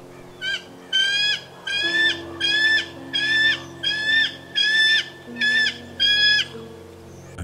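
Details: Very vocal bald eagles in Northern Ontario give high, thin chittering calls in about eight quick stuttered bursts, one every second or so, over a low steady hum or faint music.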